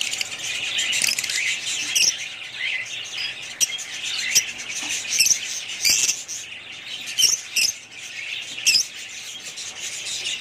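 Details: Group of family budgerigars warbling constantly, the high chatter punctuated every second or so by sharp clicking chirps and short squawks.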